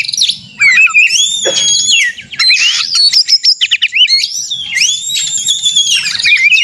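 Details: Kacer, the white-rumped shama, delivering a combative song used to bait other birds: clear rising and falling whistles, sharp chips and a harsh rasping burst, phrases sweeping high then dropping, continuous and energetic.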